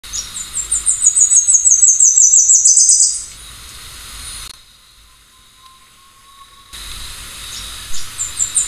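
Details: Tepui redstart (Myioborus castaneocapilla), a small insect-eating bird of Venezuela, Guyana and northern Brazil, singing: a quick run of thin, very high chipping notes for about three seconds, a hush, then fainter high notes returning. Tepui Redstart.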